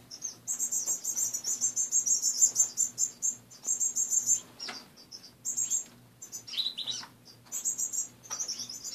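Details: Caged finches at home in the morning, loud rapid high chirping in long runs with brief pauses, several birds overlapping, and a low electrical hum in the background.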